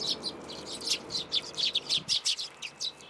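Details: Sparrows flocking to a plum tree at a Tenmangu shrine to be fed, June 2022: a quick series of high, short chirps from several birds, with a soft low background rumble.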